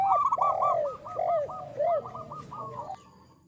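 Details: A local zebra dove, praised as a champion lure with a big voice, delivers a trilling burst of quick clipped coos over a few longer, rising-falling notes. The song fades out at the end.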